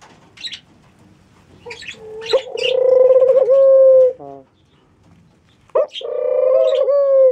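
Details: Mourning dove (Zenaida macroura), apparently kept as a pet, gives two drawn-out, low, hollow coos, each over a second long, after short clicks and rustles.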